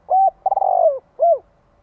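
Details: Thúc-gù cooing of a spotted dove, used to stimulate males. A clipped low coo is followed by a longer stuttering coo and then a single downward-curving coo. The whole phrase is loud and clean.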